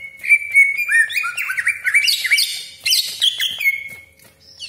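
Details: Cucak ijo song used to provoke other greater green leafbirds; a steady whistle breaks into quick rising and falling warbles, then a loud harsh flurry, ending on a held whistle.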